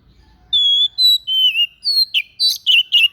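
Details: White-breasted bird delivering an unusual song used for tutoring other birds: level pure whistles at stepping pitches, then a quicker series of short, burry chirps near the end, in otherwise quiet surroundings.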